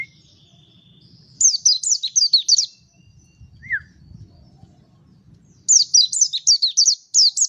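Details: Mountain white-eye in song: two energetic runs of about six bright, high descending chirps separated by a single lower downslurred note, with a faint low hum underneath.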